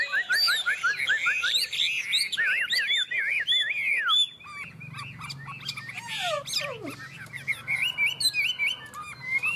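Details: Chinese hwamei, two birds singing against each other in a contest: loud, varied whistled phrases with quick downward slurs and repeated notes, then a long sliding note falling steeply, with dense overlapping phrases throughout.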